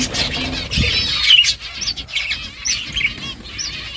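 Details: Budgies eating and chirping: rippling, wavering chirps and short upward-curling notes, with a soft thump near the start and faint rustling.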